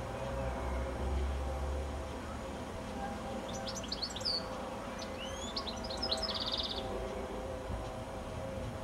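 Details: Goldfinch singing in the evening from a telephone wire high up just before sunset: a few seconds of quick high twittering notes and slurred whistles, ending in a rapid buzzy trill, over a steady low background rumble.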